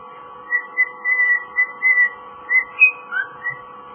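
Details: Pet male cockatiel whistling his version of Jingle Bells: a run of clear, steady whistled notes near one pitch, some short and some held, then a few higher slurred notes near the end, in a quiet indoor room.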